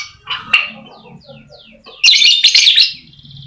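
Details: Lovebird, used as a lure to make silent lovebirds sing: faint sliding chirps, then a loud, sharp, shrill burst of rapid squeaky notes lasting under a second.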